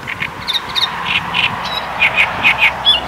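Great reed warbler giving harsh, grating notes, repeated roughly twice a second, with some higher squeaky elements mixed in against a faint background hiss.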